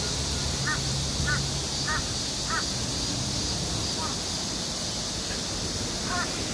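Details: Crow cawing in the open, four evenly spaced harsh caws about every half second, then a pause and a few weaker, shorter calls, all over a steady hissing background.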